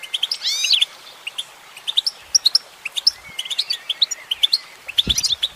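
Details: Singing female goldfinch opens with a wheezy cascade of rising slurs, then rattles off a long series of sharp, bright chirps and short twitters, with a brief low knock near the end.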